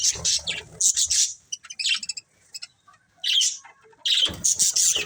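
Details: Colourful budgerigars of a breeding pair giving short bursts of shrill, scratchy chirps and warbles, broken by brief clicks and a near-silent pause before the chatter resumes.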